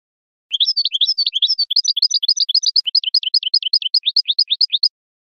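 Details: Meknin, the Algerian goldfinch, in khelwi-style song recorded in 2018: about four seconds of continuous fast twittering, looping upswept whistles repeated several times per second with a steady bouncing rhythm.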